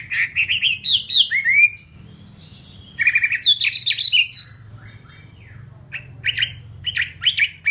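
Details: Captive fighting hwamei singing in bursts: a fast jumble of whistles and chirps, a quiet gap, another energetic burst, then short, spaced chip-like notes, with faint low background hum.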